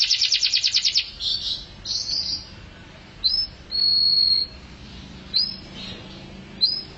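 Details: Canary with 'mabok teler' singing: opens with a fast pulsing trill, then sparse whistles, a long flat high tone and a few short upswept notes separated by pauses.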